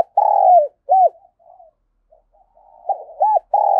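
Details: A decoy spotted dove, cooing in the rapid 'thổ thúc gù' voice, calls forcefully to attract others. Loud, low, hollow coos form a repeated phrase: a long drawn coo sliding down, a short arched note, then quiet soft murmurs before the phrase begins again.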